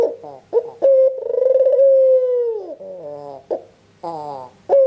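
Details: White albino Barbary dove with red eyes, used as a caller to set off other doves. Short clipped notes lead into a rolling, pulsating coo that trails down, followed by soft nasal rising calls and another abrupt coo.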